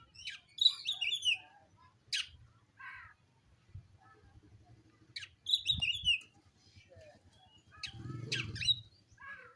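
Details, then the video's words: A dark oriental magpie-robin looking for an opponent to fight sings repeated bursts of quick, downslurred whistled notes mixed with chips and rasps, spaced a few seconds apart, with a faint low rumble beneath. "kacer wulung cari lawan"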